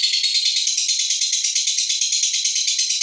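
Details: Female fighter lovebird ngekek trill for provoking other birds: steady, rapid rattle of shrill, buzzy pulses with a regular beat throughout.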